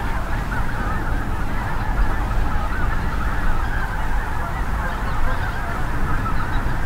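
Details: Thousands of migrating geese, mainly snow and greater white-fronted with some Ross's, Canada and cackling geese, at North Ottawa Impoundment, Grant County, Minnesota, in late winter or early spring. They give a dense honking, yelping chorus under a 25–30 mph south wind's roar.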